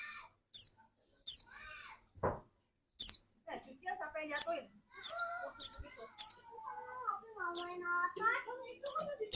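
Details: Pleci dakun white-eye in full song, kept as a lure to spur other white-eyes into singing; sharp high descending chirps spaced irregularly, mixed with lower warbling and clucking sounds from other birds.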